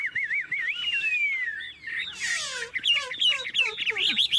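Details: Chinese hwamei in a cage in Tuyên Quang, Vietnam, noted for a wild-type voice: wavering looped whistles, a long falling slur, then a scratchy burst and fast twisting notes.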